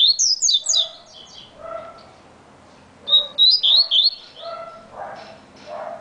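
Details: Very fast song of a coleiro baiano, the variable seedeater: two clusters of quick, bright, high-pitched chipping notes, each followed by lower, softer buzzy notes.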